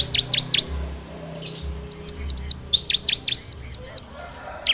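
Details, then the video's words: Bar-winged prinia song used to train cage birds, recorded on Android: bursts of steeply swooping high whistles alternate with short groups of bright, ringing notes, separated by brief pauses. "PANCINGAN SUARA CIBLEK TERBAIK FULL NGEBREM RAPETT!!!"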